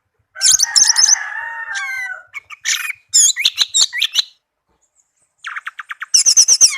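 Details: A tame orange-headed thrush sings a scratchy, buzzy warble, then mixed chirps and slurred whistles, a quick series of clear repeated notes, and a loud high trill.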